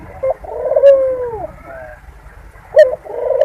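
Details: Mating coo of a Barbary dove, played to make doves come into breeding condition quickly: a deep purring coo sliding downward, a pause, then the start of the next rolling coo; soft background hum.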